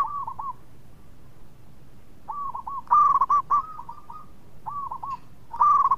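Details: Melodious local zebra dove, a regular singer used to spur others into song, repeats short soft phrases of two or three hooked coos between louder rapid bubbling bursts.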